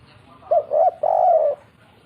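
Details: A single phrase from a spotted dove singing kuk 3: one short soft coo, then a longer one, then an extended level coo that fades, all low and mellow.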